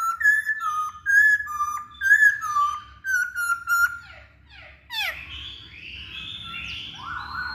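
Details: Masked laughingthrush, known locally as poksay Hongkong, used to coax other birds into singing: loud whistled phrases repeated in a steady series, some notes rising and falling, then sweeping squeaky calls and overlapping chatter.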